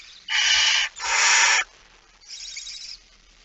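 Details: Barn owl (Tyto alba) with a mouse, It Fryske Gea, 17 September 2019 at 06:11, giving three harsh, breathy hissing screeches about half a second each, the third noticeably softer.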